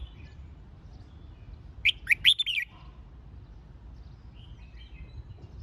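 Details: Red-whiskered bulbul song used in training for a singing competition: one loud burst of four or five quick warbled, looping whistled notes near the middle, with faint distant bird chatter before and after.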